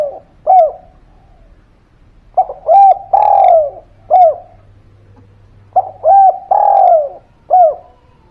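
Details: Repeated spotted dove phrases meant to prompt quiet birds to call back: short arched coos framing a long falling coo, the pattern recurring about every three to four seconds, with a faint low hum.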